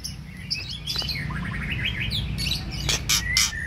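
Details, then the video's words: White-rumped shama singing during preparation for a practice singing contest in Babagan village, Lasem: varied chirps, whistles and sharp high notes in quick succession over a steady low hum and background noise. "Persiapan latber murai batu didesa babagan"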